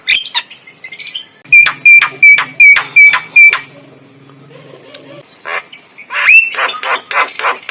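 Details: Male white-eyed black-winged starling lure song with a clear voice: a series of seven loud, sharp, ringing notes about a quarter second apart over a low hum, then harsher, scratchy chattering notes.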